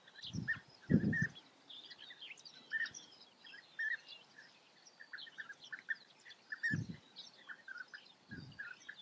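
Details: European bee-eaters in Germany's Eifel region calling with brief purring notes, spaced unevenly over several seconds, accompanied by low thumps and rumbling handling or wind noise.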